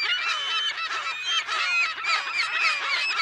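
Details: Noisy California gull colony, mono recording of unknown date: a constant, crowded wall of shrill, nasal squeals and yelps from many nearby birds, overlapping throughout with no quiet gaps.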